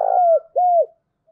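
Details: Two smooth spotted dove coos in a decoy call, the first long and level before dropping away, the second arched and falling, with a faint higher overtone line above.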